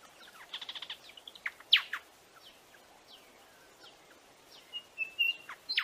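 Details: Chirping of a buff-sided robin: a quick run of stuttered high notes, then strong falling chirps, a pause, and thin level whistles ending in another sharp downward chirp, with faint background hiss.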